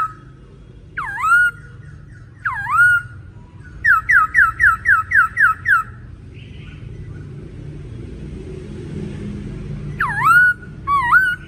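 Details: Male laughingthrush singing energetically. Looping whistles dip and rise, then a quick run of eight falling whistled notes follows. After a pause come more swooping whistles, over a low steady background rumble.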